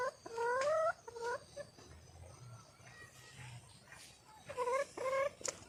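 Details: Female red junglefowl calling for a male: short bursts of rising, nasal, harmonic notes in quick runs at the start and again near the end, with a quiet low hum between.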